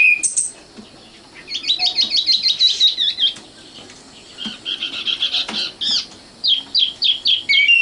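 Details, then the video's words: Common nightingale (Luscinia megarhynchos), a young bird locally called sikatan londo, singing: a high sharp opening note, then fast runs of repeated chirping notes in bursts, separated by short quiet gaps. "kicau burung sikatan londo matal"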